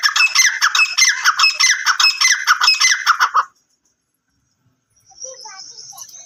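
Black francolin giving loud, harsh, grating notes in a rapid run for about three seconds, then silence and a faint high thin hiss.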